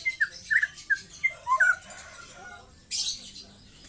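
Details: Short whistled chirps and slurred notes from a young white-rumped shama in trotol song, ending in a brief burst of hissy noise.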